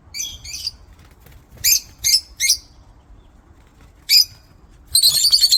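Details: Lovebirds in an aviary chirping: shrill, harsh squeaky notes in pairs and short bursts, spaced a second or two apart, ending in a dense rush of overlapping chattering calls.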